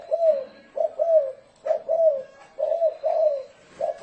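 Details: Spotted dove calling in the 'thổ rền' manner, recorded loud and clear for luring doves: soft, throaty coos in repeated two- and three-note phrases about a second apart.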